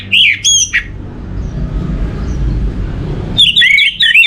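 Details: Orange-headed thrush song used as a lure for other birds: a short burst of whistled notes, nearly three seconds of quiet background, then another quick varied whistled phrase.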